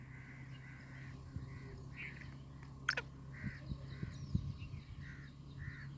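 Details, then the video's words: Black francolin (kala teetar) call: harsh, grating mid-pitched notes repeated in a quick series about every half second, over a steady low hum and one sharp click. "کالا تیتر کی آواز"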